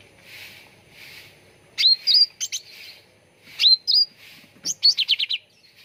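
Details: Cucak ranting bulbul on a lure recording used to make birds sing. Soft hiss at first, then bright rising whistles and sharp chirps, ending in a quick descending series of notes.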